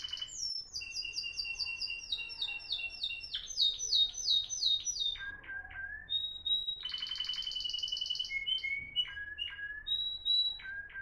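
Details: Timbrado canary, Moroccan bird of 2021, in discontinuous song: a long series of quick downslurred notes, then spaced whistles, a harsh fast trill, and more separate whistled phrases.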